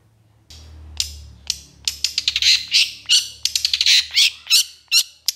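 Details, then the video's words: Long-tailed shrike in energetic 'gacor emosi' song. An accelerating stream of loud, harsh squawking and chattering notes, roughly three per second, plays over a low hum. "SUARA PENTET GACOR EMOSI TEMBAKAN PANJANG"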